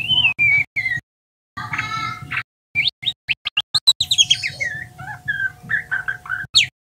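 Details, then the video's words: Young male white-rumped shama, a spotted juvenile, learning to sing in soft 'ngeriwik' warbling: varied whistled slurs, rapid chirps and buzzy bursts in broken phrases separated by short silences, over a steady electrical hum and low rumble. "Murai trotolan belajar ngeriwik"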